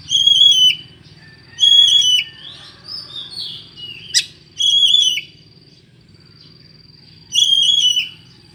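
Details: Oriental magpie-robin with an unusual voice, used to lure other birds: high, clear whistled phrases spaced a second or more apart, separated by softer warbles, over a steady low hum.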